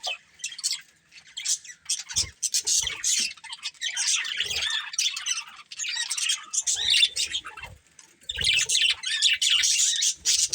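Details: Budgerigars from a colourful breeding pair give short harsh squawks and chirps in separate bursts, with quieter pauses between, then a long loud run of chatter toward the end.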